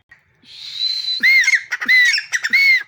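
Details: Black francolin on a mango tree in a garden: a drawn-out whistled tone opens, followed by three harsh rasping phrases with ringing arched notes.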